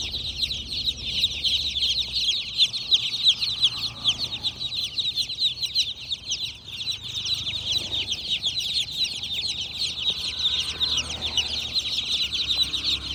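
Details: A group of baby chickens keeps up steady high-pitched peeping, many short downward chirps overlapping into an unbroken shrill chorus over a quiet background.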